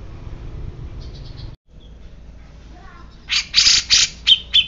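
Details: Grey-cheeked bulbul that had been silent turns agitated and gives about six loud, harsh, buzzy bursts in quick succession, after a quiet stretch with faint high chirps and a low hum.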